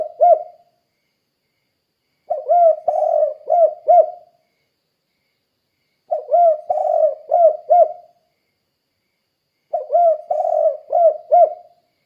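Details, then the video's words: Repeated calling of a spotted dove in the steady 'kuk kuk' manner, meant to draw other doves into calling: low, mellow cooing phrases ending in several quick clipped notes, roughly every three and a half seconds. "Suara Burung Tekukur Gacor Kuk 2 Untuk Pancingan Derkuku Biar Cepat Bunyi"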